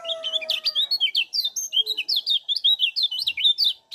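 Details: Continuous fast high chirps, several per second, from a lemon-bellied white-eye in Lombok giving 'ciak' calls as a lure to get other birds calling.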